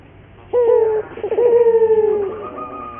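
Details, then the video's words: Local puter dove song meant to coax caged doves into frequent cooing: one short hollow coo, a brief pause, then a long throbbing, purring coo that slowly drops in pitch. "pancingan burung puter gacor, melatih burung puter lokal agar cepat gacor"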